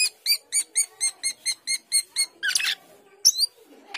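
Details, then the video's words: Asian glossy starling (cucak keling) giving an even series of about eleven clear chirps at a steady pace, then a harsh scratchy burst and a sharp squeak over a faint background hum. "Cucak keling gacor teler"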